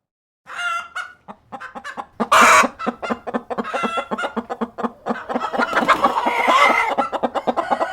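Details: Hens and cockerel on a farm, a steady run of short rhythmic clucks repeated several times a second, interrupted by a loud flapping burst, building into a busy overlapping cackle.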